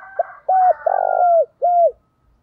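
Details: Spotted dove used as a decoy, calling to lure wild birds in the countryside: a short note, then a long steady coo, a longer rolling coo, and a final coo. The notes are low, smooth and hollow, with near silence between them.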